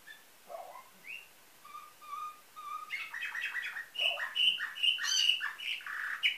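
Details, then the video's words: Nightingale-style canary song, Varna, Bulgaria, 2013: soft low whistles repeated slowly, swelling into loud, fast tours of bright repeated notes and ringing high trills. "Bülbül ötümlü kanarya , canary - Nightingale , канар Славей"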